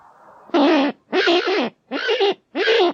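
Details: Four loud, hoarse, grating squawks from a Kakapo (Strigops habroptilus) follow a faint low murmur, each call under half a second with short gaps, rough and nasal in tone.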